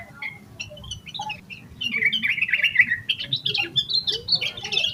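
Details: Yellow-vented bulbul singing vigorously in an agitated 'emosi koslet full isian' style, used as a lure to get other bulbuls singing: quiet scattered notes, then from about two seconds a loud, bubbly, warbling run of quick liquid notes rising higher toward the end.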